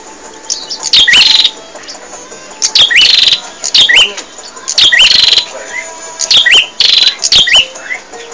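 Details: Bar-winged prinia singing gacor for a masteran tape: rasping, buzzy bursts with little upward whistles, delivered in short paired phrases with brief quiet spells.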